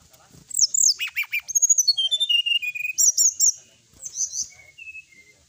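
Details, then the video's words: Brown-chested jungle flycatcher song for provoking rivals: a rich, varied phrase of slurred high whistles and quick repeated chips, with a descending run of notes and softer trailing whistles at the end. "suara pancingan srdc agar lawan cepat emosi gacor,auto langsung cepat respon"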